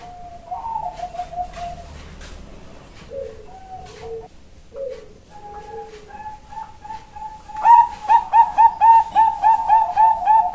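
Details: Female zebra dove (perkutut bangkok) kept at a bird farm in Kebumen, Central Java, Indonesia, starts with quiet low scattered coos and ends with a fast, loud series of ringing notes about four per second.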